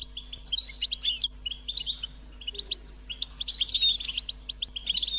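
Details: Insistent, high-pitched begging from European goldfinch chicks asking to be fed: clusters of sharp, tinkling chirps and short whistled notes follow one another quickly, with a faint background hum.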